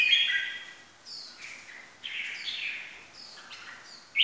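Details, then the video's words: Red-whiskered bulbul song in the 'ché' manner, played as a lure: softer, slightly distant whistled phrases over a background hiss, a louder note at the start and another at the very end. "kích chào mào ché"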